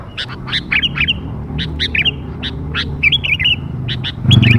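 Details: Lure recording for young sooty-headed bulbuls: sharp clipped chirps mixed with brief warbled phrases, delivered in irregular bursts, ending with a low thump.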